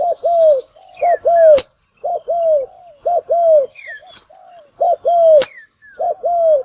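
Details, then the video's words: Spotted dove cooing as a trapping decoy: repeated two-part phrases, a short low coo then a longer falling one, about six phrases, with soft downslurred whistles of other birds and occasional sharp clicks. "Tiếng chim cu gáy mồi kích bổi đá lụp"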